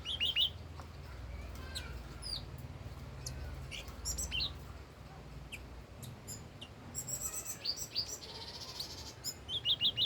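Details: Old wild red-whiskered bulbul singing: quick bursts of bright, descending chirped notes in short clusters at the start and end, with scattered thin high chirps and a low background rumble between phrases.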